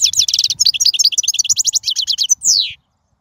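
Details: Wild European goldfinch, recorded to train young birds: a rapid, rattling series of crisp high twitters running nearly two and a half seconds, ending in a long descending nasal whistle, then silence.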